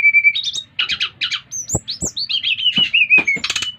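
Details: Brown-chested jungle flycatcher from Bali singing energetically to trigger other birds of its kind: a pure whistle, then buzzy chattered notes and a string of descending slurred whistles, with scattered clicks.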